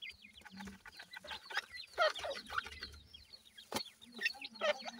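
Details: Partridge chicks being raised by hand, a group calling in dense, high, curved peeps repeated rapidly, with a single sharp tap midway and faint handling noise.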